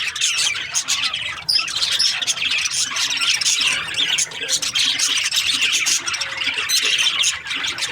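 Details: Budgerigars, also called parakeets, in breeding season, a dense flock chattering continuously with busy high warbling chirps and squawks overlapping throughout.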